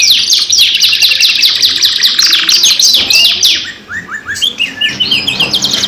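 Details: Lively canary lure song. A fast, steady stream of sharp repeated notes, about three a second, gives way after a brief dip to slurred rising and falling whistles.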